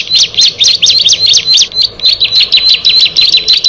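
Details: Bar-winged prinia, one of six birds brought together, singing a fast run of sharp high chirps, each a quick downward-slurred note, roughly three or four per second with uneven spacing and brief gaps.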